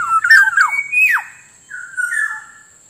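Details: Black-naped Oriole used as a lure for wild birds and as a tutor for lazy caged birds: mellow whistled notes with downward slurs, then two longer flat fluty whistles. A faint high tone persists.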